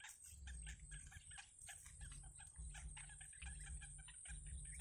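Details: Nestling yellow bitterns being fed by their mother in a wild nest, with rapid overlapping raspy chirps nearly continuous, backed by rhythmic low thumping and a faint constant high hiss.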